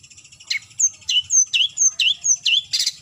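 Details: Long-tailed shrike (cendet) calling a rival, alternating high thin whistles with lower slurred notes in a quick back-and-forth, about three per second, ending in a harsh burst.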